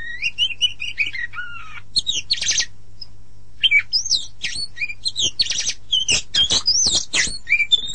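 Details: Oriental magpie-robin (kacer) singing: a varied run of clear whistled notes and slurred rising and falling phrases, mixed with short harsh buzzy bursts, in quick irregular bursts with brief pauses.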